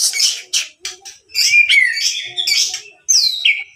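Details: White-rumped shama, a murai batu pastol with a 27 cm tail, recorded in Sidoarjo, East Java, on an Android phone: varied bursts of bright, high chattering notes and slurred whistles, shifting quickly between phrases.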